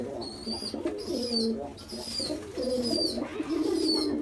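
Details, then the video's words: A hungry baby pigeon just after a big feed begs loudly with thin, high squeaky whistles about once a second over a low, wheezy, bubbling warble, insistent throughout; pigeon. "Baby Pigeon Hungry After Big Feed Loud & Noise"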